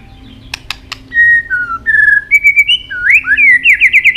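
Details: White-rumped shama fighting song: a few sharp clicks, then steady clear whistles changing pitch, ending with fast repeated rising slurred notes.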